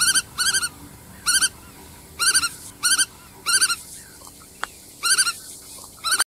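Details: Black-tailed godwit (Limosa limosa) calling: short, nasal, ringing notes in quick pairs and triplets, about eight bursts over six seconds with short pauses between, over faint background hiss and one brief click.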